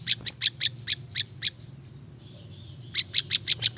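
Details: Prinia call meant for luring wild prinjak lumut: a run of sharp high chips, a short pause with a soft hissing note, then the rapid chipping resumes; low background hum.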